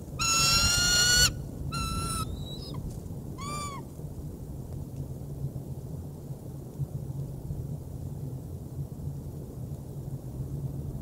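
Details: Bald eagle bringing prey into the Decorah North nest, 3 March 2019: an intense, rapid chattering burst opens, followed by a few separate whistled and hoarse notes, then only low background rumble for the remaining seconds.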